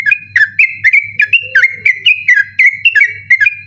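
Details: Night song of a sooty-headed bulbul, persistent and meant as a tutor recording for other birds; fast, rolling run of clear whistled notes bouncing between two pitches, with a low background hum.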